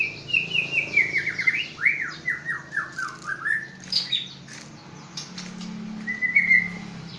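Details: Accomplished white-rumped shama of Aceh stock singing a rapid series of about a dozen descending slurred whistles, then harsh buzzy notes and a final bright whistled phrase, with a faint low background hum.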